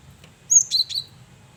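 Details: Male cinereous tit (gelatik batu) singing energetically, a lively varied song used as a lure: a faint note, then a short burst of three high, sharp whistled chirps with a quiet low hum beneath.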